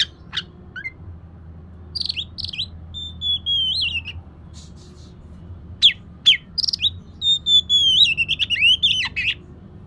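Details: Oriental magpie-robin song, played to lure a lazy bird into singing: bright whistled phrases that slide and warble, mixed with sharp upswept chips and short buzzy notes in irregular bursts, over a faint low hum.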